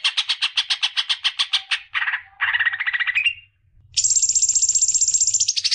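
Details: Greater green leafbird song aimed at getting young birds singing: rapid high repeated notes, then a lower rattling phrase, a short pause, and a very high, fast, even trill to the end. A faint low hum runs underneath.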